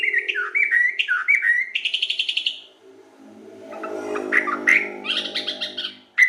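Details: Local sooty-headed bulbul singing actively: bubbly, warbled whistled phrases dipping and rising, a quieter low humming band midway, then more loud chattering bursts near the end.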